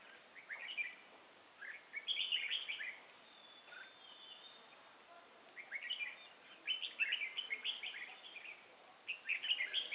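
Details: Red-whiskered bulbul trapping at Chùa Hương on 9 May 2018, the decoy bird singing in fighting style: bursts of short warbled, chirpy phrases around two seconds long, separated by pauses, over a steady high insect drone.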